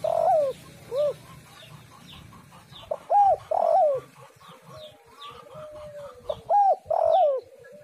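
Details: Spotted dove call used as a lure to get other doves to call, with mellow, slurred cooing notes in uneven groups over about eight seconds and a faint low hum underneath.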